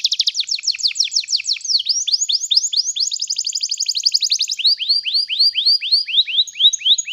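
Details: Canary song used as a tutor for young canaries learning to sing: rapid rolling trills of downward-slurred whistled notes, a dense buzzy stretch in the middle, then slower, evenly spaced descending whistles about four per second.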